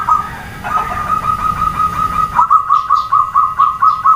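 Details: Zebra dove hen calling so that males reply, giving a long steady trilled coo followed by a clearly pulsed series of short, even coos about five per second, over rumbling background noise.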